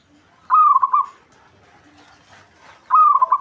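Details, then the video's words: Local Javanese zebra dove singing to provoke a rival: two loud trilled, bubbling coo phrases about 2.4 seconds apart, with quiet background between. "Perkutut Lokal Ampuh Buat Emosi Lawan"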